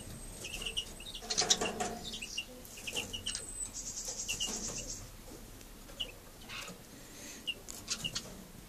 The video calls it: Siberian bullfinch cock outside nest